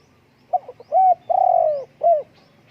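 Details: Spotted dove calling: a few quick, soft, low notes lead into a steady mid-pitched coo, then a longer, slightly falling, purring coo, ending with one short coo, against a quiet background.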